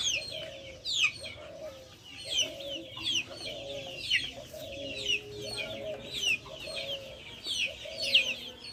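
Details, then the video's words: Backyard chickens with high, sharply falling peeping chirps repeated about once a second, layered over lower steady nasal tones near the middle range that come in short bars, against a soft outdoor background. "Backyard chickens making noise"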